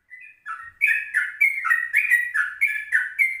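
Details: Yellow-vented bulbul recorded at 04:30 in the morning as a lure for other birds, opening with soft notes, then breaking into a quick, rollicking chain of rich, gurgling whistled phrases.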